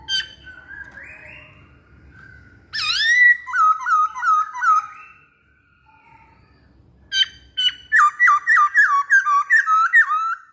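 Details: Masked laughingthrush singing energetically: a soft whistled phrase, then loud bursts of swooping, dipping whistles in quick series, a brief pause, and another rapid run of repeated wavy whistled notes.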